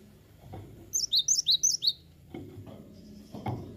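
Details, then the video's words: Cinereous tit giving a brief burst of about six quick, high, piercing notes in alternating pitch, followed by dull knocking and handling thumps. "Awas Gelatik Batu anda Ikut Gacor"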